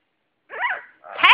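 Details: Female talking pet double yellow-headed amazon in Jasper gives two brief, raspy, speech-like utterances, each about half a second long, one after the other.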